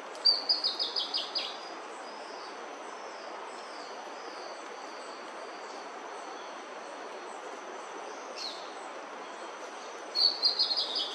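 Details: Bertoni's antbird in Brazil, moving through bamboo while foraging, gives two bursts of song: a rapid series of about eight raspy, descending notes, then a long quiet pause with soft distant chirps, then another fast raspy series near the end.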